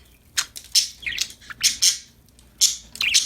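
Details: Happy budgerigars at play: short, bright, scratchy chirps in quick bursts, about six calls over three seconds with brief silences between them, in a quiet indoor setting.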